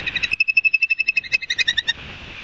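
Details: Ospreys at Barnegat Light, New Jersey, on a live nest camera, 5 September 2022 near 11:06, fast-forward speed: a rapid string of about twenty clipped, whistled chirps at an even pitch, ending in soft hiss.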